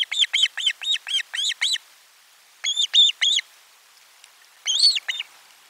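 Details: Lunchtime fish delivery at an Osprey nest, camera 4, 12 July 2022: quick burst of shrill arched chirps, a short gap, a few louder ringing whistles, then a final pair of strong calls.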